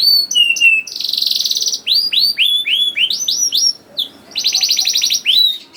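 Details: Young canary song used to prompt other canaries to sing: short whistles, a fast buzzy trill, a series of loud downslurred notes, and another rapid trill at the close.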